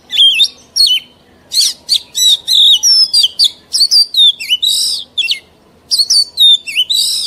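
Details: Mature wild-caught Oriental magpie-robin singing, its song used to teach young birds: loud, clear, varied phrases that mix rising and falling whistles with scratchy high notes, delivered almost without a break.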